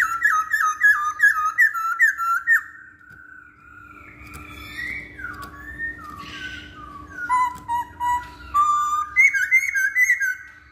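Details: Lure song of a masked laughingthrush to set other birds singing: rapid repeated whistled notes, a quieter middle with soft slurs, then more loud whistled phrases returning toward the end.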